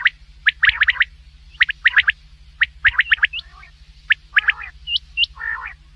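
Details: A common quail at night delivers rapid bursts of sharp three-syllable calls. Near the end come a couple of higher upslurred notes and a soft growling purr, against a background hum.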